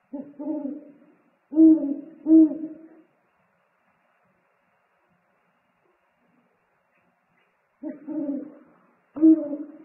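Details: A food-delivery dialogue between eagle-owls at a nest, 3 March 2019: three deep hoots in quick succession, about five seconds of quiet, then two more low, booming hoots.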